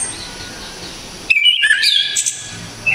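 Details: Java's Orange-headed thrush, noted for its loud, sharp and clear voice, gives one energetic phrase of stepped whistles climbing into high chattering notes, after a quiet stretch of faint hiss.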